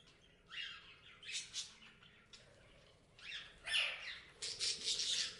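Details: Several bouts of parrot chirping: brief rising squeaks and raspy chatter, rather quiet at first, building to louder scratchy squawks in the final two seconds.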